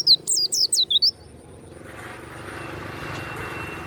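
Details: Kept warbling white-eye (pleci) giving a short burst of loud, high, looping chirps for about a second, followed by a rising engine-like rumble.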